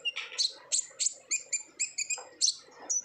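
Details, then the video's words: Olive-backed sunbird singing in the energetic ngobra style, played to coax other birds into song: bright, piercing chip notes repeated about three to four times a second, some with a short buzzy edge. "PANCINGAN KONIN GACOR NGOBRA , KONIN BAHAN PASTI AKAN RAJIN BUNYI"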